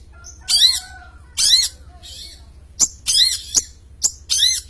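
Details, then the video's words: Champion long-tailed shrike in lively voice, giving loud, harsh, scratchy rasps in spaced bursts, followed by a quicker cluster of grating notes and short high chirps. "Suara Kicau Burung cendet juara Gacor"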